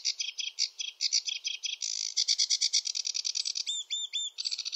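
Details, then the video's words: Male sedge warbler song from wetland reeds: loud, fast, churring chatter of repeated harsh notes running continuously, ending with sweeter rising whistled phrases, varied and rushed. "Sedge warbler song (Acrocephalus schoenobaenus) the warbler rapper"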